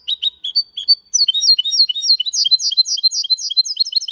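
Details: Malaga-style singing from a goldfinch-canary hybrid, error-free: a few spaced chirps open into a continuous rapid twitter of high, slurred, downward-flicking notes, loud and unbroken.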